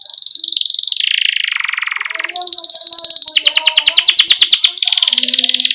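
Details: Canary song for teaching young canaries: long buzzy rolling trills shifting pitch, then a fast series of rattling pulses, with faint lower chirps from other birds underneath.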